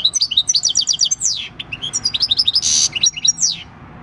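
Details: Countryside song of a six-year-old wild-caught European goldfinch, 26 December 2019: continuous quick, high, liquid twittering with repeated notes, a short buzzy rasp and descending slurred whistles.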